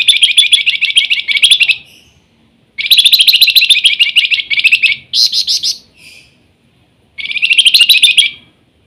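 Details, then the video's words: Flamboyan singing actively in a whistling nyiul style: three bursts of rapid, buzzy high trills, each about one to two seconds long, with a brief higher twittering phrase between them. "Flamboyan gacor rajin bunyi nyiul"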